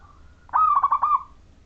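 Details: One rolling phrase from a local Majapahit zebra dove whose song serves as a lure for other zebra doves: a soft lead-in note, then about five quick, bubbling pulses on a level pitch, fading away.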